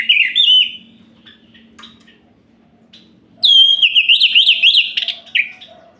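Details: Night song of an orange-headed thrush, sung to provoke other males: a short slurred whistled phrase, a quiet gap of faint notes, then a long rapidly trilled, zigzagging whistle ending in a falling note.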